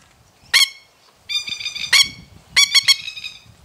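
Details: Masked lapwing in threat display giving loud, harsh, strident calls: single sharp shrieks, a rattling burst, then three quick strident notes in under four seconds.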